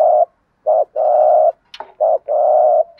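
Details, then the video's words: Male and female spotted doves cooing for training a caged bird: short coo then long drawn-out hollow note, repeated about every second and a half, with a faint click between phrases. "tiếng chim cu gáy kích bổi mới rất hiệu quả"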